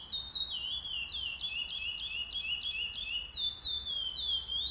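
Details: Singing-tournament entry, 08/11/2020, first stage: a pardo Chestnut-bellied seed finch delivers a continuous stream of bright, high, fluty whistles, each note swooping downward then up, in a quick rolling rhythm.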